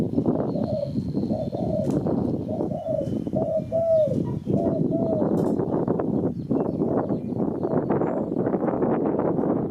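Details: Spotted dove calls used as a lure for catching birds: a series of soft, low, hollow coos in short phrases during the first half. Heavy continuous low rumbling noise masks the calls throughout.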